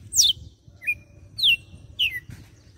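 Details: Red-cowled cardinal in Fortaleza, Brazil, singing açoite: loud piercing downslurred whistles with a held steady tone between them, four strong notes in under three seconds.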